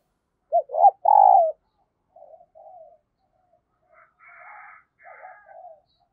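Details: Decoy dove cooing to call in new wild birds: two short loud coos and a longer drawn-out coo, then softer, fainter coos and a brief buzzy call from more distant birds.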